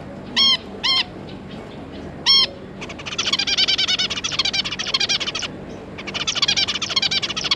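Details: Zebra finches, an adult pair and three juvenile offspring, 9 June 2022: three loud, clipped nasal calls, then long bursts of rapid, chattering, buzzy notes repeated several times a second.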